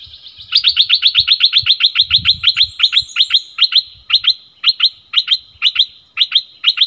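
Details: Caged streak-eared bulbul decoy bird singing a rapid series of sharp, high chirped notes, about four per second, then slowing into evenly spaced paired notes; faint low knocks below.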